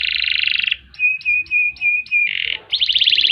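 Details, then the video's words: Canary song opening with a dense buzzy trill, then five clipped whistled notes, a rough burred note and a fast rattling trill. "Kenari Gacor Panjang Ngerek Ngerol Nembak"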